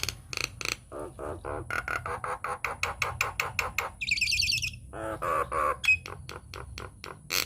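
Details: Nias hill myna lure recording for prompting other mynas to sing: fast repeated clicking notes, nasal buzzy phrases, a high trilling stretch, and more rapid chatter to the end.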